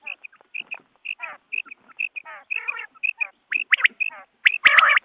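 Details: Quail calls at dawn, for use in hunting. Clear whistled pips repeat steadily, alternating with raspy, burred notes. The calling builds to louder sharp bursts and a harsh squawking outburst at the end.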